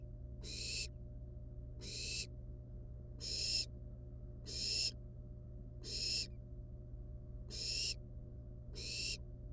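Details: At a nest of wild barn owls, nestlings toy with a rat still alive before eating it; seven rasping, noisy hisses repeat at roughly one-and-a-half-second intervals above a constant low electrical hum.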